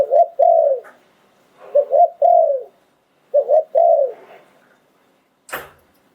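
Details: Ground-decoy spotted dove, สายโผน หลิ่วตัน style, recorded 2022: mellow low coos in three phrases, a short double lead-in then a longer falling note, the last phrase trailing off, and a sharp click near the end.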